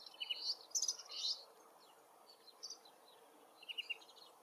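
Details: Far-off Woodchat shrike in forest habitat delivering a short burst of loud scratchy whistles and chirps, a pause with a few soft notes, then a brief quick trill.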